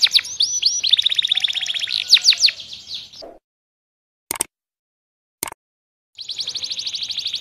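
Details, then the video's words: Canary song made of fast, dense trills and several sharp slurred notes, followed by a long silence broken by two clicks, then a fresh rapid trill. "Kompilasi Masteran Kenari Gacor panjang full isian"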